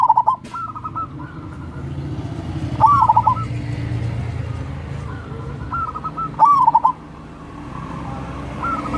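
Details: Local wild zebra dove song, used as a lure to prompt lazy doves to sing: short bubbling, trilled cooing phrases around mid pitch, four phrases spaced a few seconds apart, with a low background rumble throughout.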